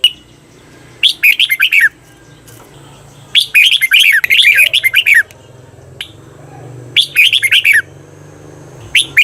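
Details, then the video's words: Training song for caged red-whiskered bulbuls from Thailand, 'bearn' doubled style: four rollicking phrases of quick, sweet slurred notes, the second noticeably longer, separated by short pauses over a low background hum. "เสียงฝึกเบิ้ล นกกรงหัวจุก เปิดสอนเบิ้ลยาวๆ เบิ้ลได้แน่นอน"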